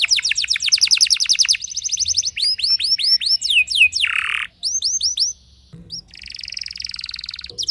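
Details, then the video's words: Canary singing to unsettle other canaries: a fast trilled run, then swept whistles, a low buzzy rasp, a short gap, and a softer high buzzing trill at the end. "merdunya kicau burung kenari yang membuat galau kenari lain"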